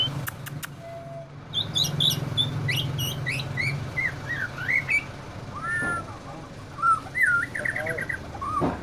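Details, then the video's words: White-rumped shama, described as easily agitated, uttering high scratchy chips followed by looping slurred whistles and harsh squawk-like notes, with a low droning hum underneath. "Murai batu mudah emosi"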